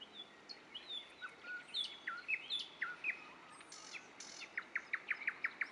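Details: Common nightingale song recorded in Dubki: slow, separate whistles and sliding notes build up, then give way to a quick series of sharp, evenly repeated chirps, heard against faint outdoor hiss.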